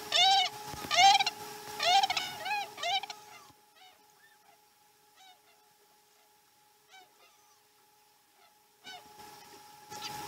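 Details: Osprey calling at a Chesapeake nest while the morning feeding starts slowly, 2019 12 12: loud, rapid, downslurred whistled yelps repeated for about three seconds, then sparse quieter chirps and near silence before calling resumes.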